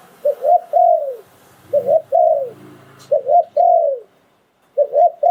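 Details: Decoy spotted dove from Thailand singing the phon liu tan cooing style. Paired brief coos are followed by a long descending coo, and four such phrases come in quick succession with faint low rumbling between them.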